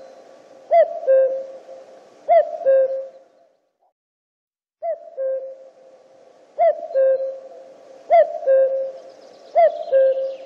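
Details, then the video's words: A common cuckoo (Cuculus canorus) gives its familiar two-note cuck-oo, the first note higher, repeated about every one and a half seconds with a brief pause midway. "Kukanie kukułki . Odgłos kukułki."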